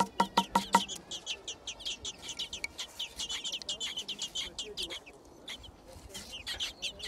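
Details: Thrush chicks, six together in a garden nest, calling as food arrives. A few clicking pulses open the stretch, then repeated high, squeaky chirps follow in a rapid, uneven series, fading briefly near the end.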